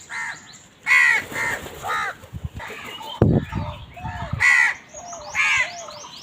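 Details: Crows fighting for food give harsh, ragged caws in clusters, broken midway by a dull thump and rustling, then resuming with further grating calls.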